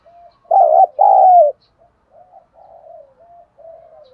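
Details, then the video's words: Luring spotted dove calling with a loud double coo, a short wobbling note and then a longer falling one. A string of much softer, low murmured coos follows. "Thuc dau dong pha - kích bổi hiệu quả"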